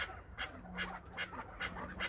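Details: Kept Chukar partridge, Krasnoyarsk, calling at its owner's prompting: sharp, grating chuck notes repeated roughly every 0.4 seconds in a steady series, with faint low hum underneath.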